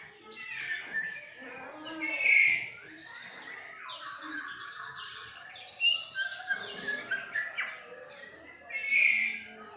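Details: Juvenile spotted white-rumped shama of Medan stock, about 2.5 months old, learning its song: scattered chirps and short whistled, warbling phrases with louder bursts near the start and end.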